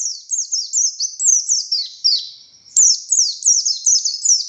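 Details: Oriental white-eye, buxtoni form, in energetic ngalas song with tembakan bursts, used as a tutor bird. Dense high twittering of falling slurs, about eighty phrases a minute, with a brief click near the middle.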